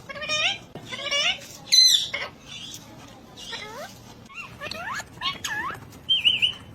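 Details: A ring-necked parakeet talks in a run of nasal, drooping speech-like syllables, some rising and falling like meows, ending with a high wavering whistle, with light clicks and faint music behind.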